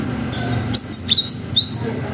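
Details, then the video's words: Cinereous tit singing 'wucit panjang' to provoke young birds: one quick phrase of about five clear, high, slurred whistled notes, evenly spaced, against a quiet low hum. "GELATIK BATU GACOR WUCIT PANJANG"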